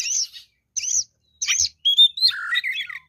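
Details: Oriental magpie-robin singing as a fighter bird: three short scratchy chirp bursts spaced about half a second apart, then a longer phrase of clear whistles sliding down into a warbled, twisting trill.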